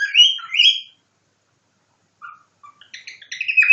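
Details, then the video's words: Pet cockatiel copying a nightingale: two bright whistled phrases with rising slurs, a pause of over a second, then scattered short chirps building into a fuller warbling phrase; quiet indoor background. "Попугай корелла Ричи копирует соловья"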